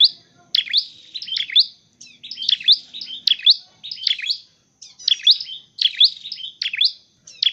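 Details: Dark-necked tailorbird, a bird used in training and trapping, singing loud, high, sharp twittering phrases in quick bursts about every half second, with brief gaps between runs of notes; faint low background rumble.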